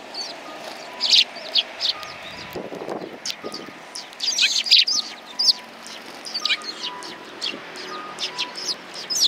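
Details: At a Tenmangu shrine on 21 January 2020, a flock of sparrows on a bench chirps in irregular bursts, with a brief low scuffle midway and a soft repeating two-note tone behind.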